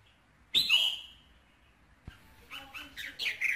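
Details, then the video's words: Red-whiskered bulbul song played to stimulate a male: a loud, harsh burst with bright ringing notes that slides downward and fades, then after a pause a string of softer chirped phrases. "KÍCH SUNG CHÀO MÀO TRỐNG"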